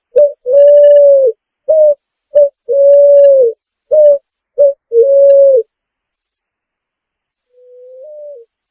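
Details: Clean recording of a Picazuro pigeon singing: deep hollow coos alternate between sustained notes and pairs of short punchy ones, then a pause and a softer, rising drawn coo at the end.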